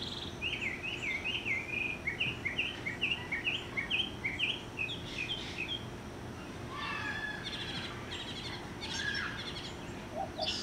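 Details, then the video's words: Mockingbird singing in a yard from about 30 feet up, roughly 50 yards away: a fast run of short, bright chirped phrases repeated many times over, then switching to buzzier, varied phrases, all faint above a constant low background rumble. "Mocking Bird Serenade"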